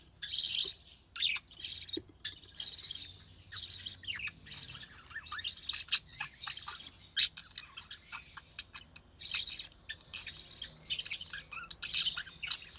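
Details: Recessive pied budgie chick in a cage with its feeding mother; a busy, continuous stream of thin chirps, clicks and raspy bursts, fairly quiet, with a faint background hum.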